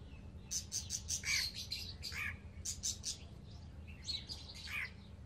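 Young Alexandrine parakeets give bursts of high, scratchy chirps and squeaky notes in quick clusters, over a low steady hum.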